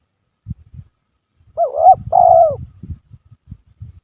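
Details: Lure song of a spotted dove, sung without a break: a single two-part coo, a wavering note followed by a longer descending one, surrounded by soft low thumps and knocks.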